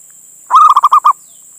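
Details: Male local Indonesian zebra dove calling a female, used as a lure: one rapid burst of about six mellow, rolling cooing notes lasting about half a second, over a steady high hiss.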